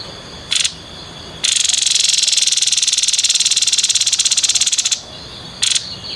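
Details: Grey-headed babbler singing in the rapid 'konslet' style: a long, harsh, buzzy rattle of fast-pulsed notes lasting about three and a half seconds, with short buzzy bursts before and after it.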